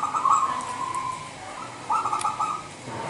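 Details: Local wild zebra dove from Indonesia, a lure call used to draw other doves. Soft cooing notes in broken phrases around one second long, with a pause in the middle and light background hiss.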